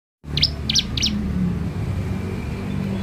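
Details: Young bar-winged prinia (ciblek) kept as a lure bird, giving three quick high chirps near the start, followed by a steady low hum of background noise.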